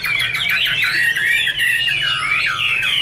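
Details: Chinese hwamei giving a dense stream of loud slurred whistles and warbling sweeps, rising and falling notes crowded together without a pause.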